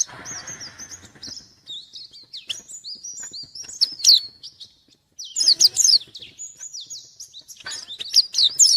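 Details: White-eye song while seeking a rival, with high wavering whistled phrases and several loud bursts of sharp fast chirps, over faint low background noise.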